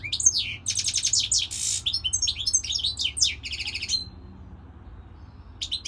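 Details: Fast, liquid goldfinch song of chattering trills and bright tinkling notes with a short buzzy rasp in the middle, running about four seconds before fading, then a brief restart; faint low hum behind.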